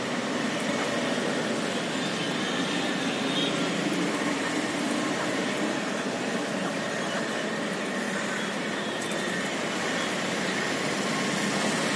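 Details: Steady rumbling traffic or train noise fills the air, with faint voices and no clear animal calls.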